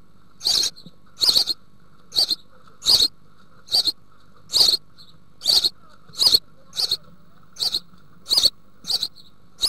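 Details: House sparrow young in a nest box in the Altmark, Germany, 16 June 2019, being fed by the female. Short sharp chirps, often doubled, in an irregular sequence over a quiet background.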